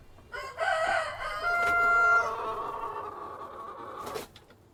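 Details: Farmyard cockerel crowing among hens: a loud, drawn-out, harmonically rich crow holding steady then sliding lower and fading, ending with a brief burst of wing flapping or rustling.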